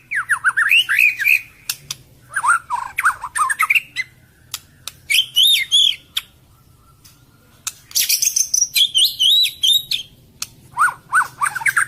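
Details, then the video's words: Rapid harsh song of a white-rumped shama, delivered in bursts of quick wavering whistles and buzzy notes about two seconds long, separated by short pauses and clicks. "KICAU MURAI BATU - TEMBAKAN KASAR"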